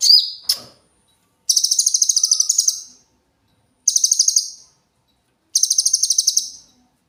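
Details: Cililin with a clear song meant for training young cage birds: a sharp high note, then high buzzy trills of fast even pulses, repeated three times with gaps of about a second.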